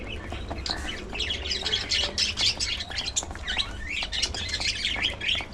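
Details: Budgerigars chattering as they eat seeds and fresh vegetables, a dense run of high, scratchy warbles and squeaky chirps rising and falling continuously, with rapid pecking clicks underneath.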